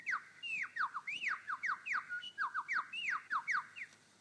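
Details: Male superb lyrebird on his dancing mound in Sherbrooke Forest Park, Victoria, giving its own territorial call: a loud, ringing rapid run of about sixteen whistled notes, each swooping up or down, four per second.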